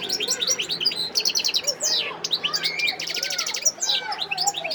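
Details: Continuous lively song of a wild European goldfinch, Sidi Bel Abbes, Algeria, 17 December 2021: rapid high twittering, buzzy rattled trills and sliding whistles run together almost without a break.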